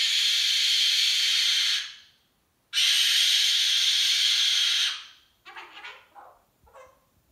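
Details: Pet cockatoo in a hormonal temper tantrum gives two long, harsh, hissing screeches of about two seconds each, then a few short, softer squawks.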